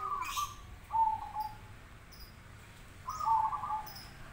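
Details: Zebra dove singing in answer to other zebra doves: three short soft cooing trilled phrases, each a quick burbling roll held at one pitch, spaced about two seconds apart, with faint high chirps of other birds in the background.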